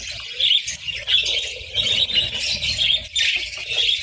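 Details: Budgerigars at a winter breakfast of eggs and bread give rapid, overlapping squeaky chirps in a busy warble, with faint low rustling below.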